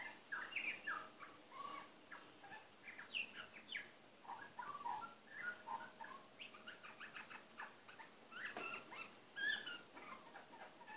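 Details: Male butcherbird singing quietly to himself: a long, rambling run of soft warbled, chirped and fluted notes in varied short phrases, with a few brighter sharp notes near the end, over a quiet background.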